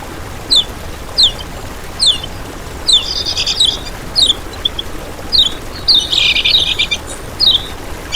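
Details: Kecial kuning song used as a master recording to lure and train other birds: short, thin, high downslurred chirps repeated about every second, with two bursts of busier twittering.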